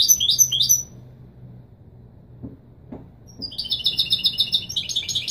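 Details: Goldfinch song in the authentic Widani Marrakchi style for teaching fledglings. Two brief twittered notes are followed by a quiet stretch with a few soft taps, then a long, bright, rapidly pulsing trill.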